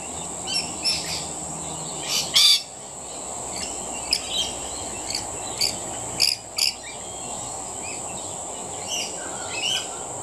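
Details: Rainbow lorikeets feeding, giving harsh, scratchy screeches in short bursts scattered through the clip, with a steady high insect drone running underneath throughout.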